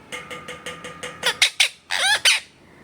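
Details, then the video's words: Parrot with its owner, giving a quick string of about six soft, evenly spaced, buzzy pulsed notes, then louder harsh squawks and a final pair of rasping, wavering screeches. "Parrot Makes Sweetest Sound With Its Owner."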